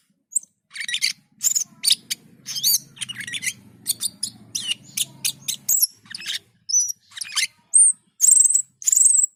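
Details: Cucak keling (black-and-white bulbul) in gacor and teler singing: rapid strings of high sharp notes and slurs, ending in several long clear whistles, over a steady low mechanical hum.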